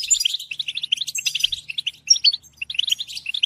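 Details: European goldfinch singing a rapid, liquid twitter of short chirps and trills, with brief high thin whistles and a short pause near the middle before the chattering resumes.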